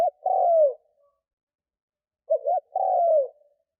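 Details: Spotted dove used as a lure for wild doves: the end of a long falling coo, then one complete phrase of two short notes and a drawn-out downward coo, in otherwise silent surroundings.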